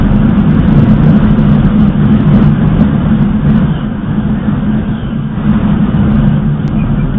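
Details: Loud, continuous vehicle rumble dominates throughout, deep and droning, with no animal voice standing out.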